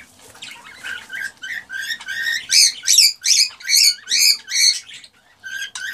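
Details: Male cockatiel singing to stimulate a female to mate: a series of loud, clear, harmonic whistled notes, each rising then falling, repeated about every half second, then a pause and a final note.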